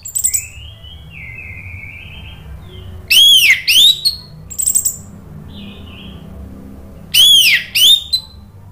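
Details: Orange-headed thrush song, used as a lure to prompt a silent bird to sing: loud, clear whistled phrases with looping rising-and-falling notes, in bursts a few seconds apart, between softer thin whistles over a quiet background.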